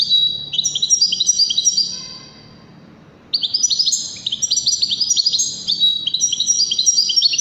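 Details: Song of a Waddani goldfinch meant for teaching young goldfinches and hybrids: dense high tinkling twitter, a brief hush, then a longer rapid stream of chirps and buzzy trills.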